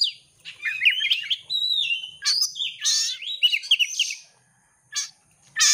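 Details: Oriental magpie-robin competition bird in full song used as bait to trigger singing: loud sweet whistled phrases sliding down and up, mixed with harsh rasping bursts, ending in short scratchy notes after a pause.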